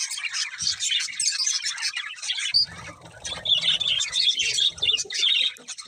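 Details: Continuous budgerigar chatter: bright twittering, high whistled squeaks and raspy warbles, with a faint low hum in the background partway through.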